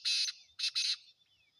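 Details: Three loud, harsh, buzzy rasping notes, the first longest and the last two close together, from a captive Sindhi black francolin (kala teetar) kept for sale.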